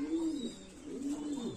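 A Lahore pigeon gives low, soft cooing notes, each swelling and then dipping at the end.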